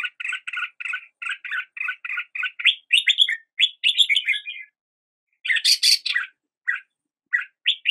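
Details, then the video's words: A red-whiskered bulbul sings in the morning, starting with a steady series of repeated double chirps, then livelier warbled phrases and a sharp, harsh burst. "Red whiskered Bulbul Song"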